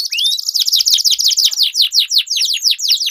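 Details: Canary singing as a lure for competition birds, a fast rolling trill of dense, buzzy descending notes repeated about twice a second, loud and unbroken throughout.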